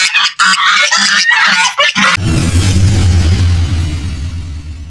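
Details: Domestic ducks at a public garden zoo park in Ahmadi, Kuwait, give loud, harsh, nasal quacks in a quick burst of about eight calls over two seconds, then a low droning rumble of music takes over.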